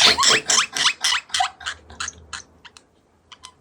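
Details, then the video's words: A pet parrotlet gives a quick run of harsh, chirpy notes, about four a second, fading away like a silly giggle in an otherwise quiet room. "부정하고싶은 방정맞은 웃음소리ㅋㅋㅋㅋㅋ"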